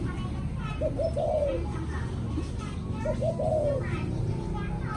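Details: Evening coo of a spotted dove: two low phrases of short hooted notes ending in a longer, falling coo, about two seconds apart over a steady background hum.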